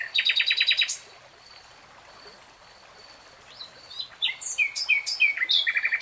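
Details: Nightingale song: a rapid burst of repeated bright notes, a soft pause of faint sustained whistles, then varied chirps building into a quick repeated trill, with steady rushing noise behind.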